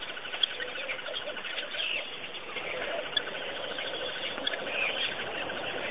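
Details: Birds at Pete's Pond in Botswana keep up a soft, fast, regular pulsing chatter throughout, mixed with occasional brief sharp chirps and a low murmur of other calls.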